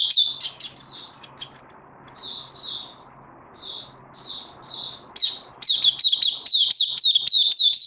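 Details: Oriental white-eye, a kept bird recorded on 31 May 2020 during its second day on a health supplement. Scattered short high buzzy notes give way to a fast, continuous run of sharp descending chirps near the end.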